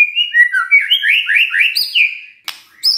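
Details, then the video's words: White-rumped shama in morning song meant to coax a silent bird to answer: a rapid string of bright, downward-slurred whistles, several per second, ending with a click and a high whistled flourish. "Pancingan PAGI-PAGI AGAR MURAI GACOR❗ murai diam pasti ikut NYAUT EMOSI❗❗"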